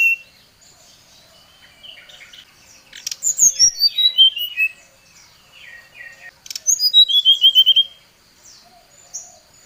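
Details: Agitated song of a brown-chested jungle flycatcher calling a rival: two loud phrases of rapid, clear whistles sliding down the scale in even steps, separated by a few seconds of soft twitters.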